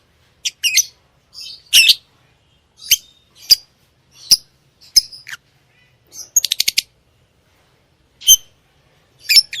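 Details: Lovebird chirping and singing: sharp, high chirps and short squawky notes in irregular bursts, with a quick rattling series of clicks near the end; no other sounds.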